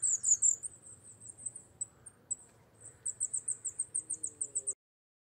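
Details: Coal tit song: a loud burst of high, sharp notes, a quieter patch, then a steady run of rapid, evenly repeated high-pitched notes that stops abruptly.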